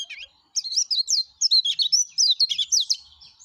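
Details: Yellow-breasted white-eye singing energetically, sound offered as a lure for other white-eyes: quick high twittering phrases of sliding, chirpy notes in dense bursts after a brief pause, clean background.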